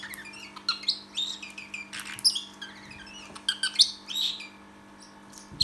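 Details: Parrotlet kept as a pet mimicking R2D2: scattered high chirps and bright whistled blips with short bending notes, loosely spaced, against a faint steady background hum.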